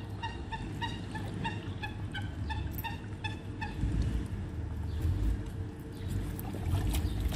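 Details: Canada geese being hand fed. A quick run of short, evenly spaced honks fills the first three seconds, then the calls thin out to faint notes against a constant low mechanical hum.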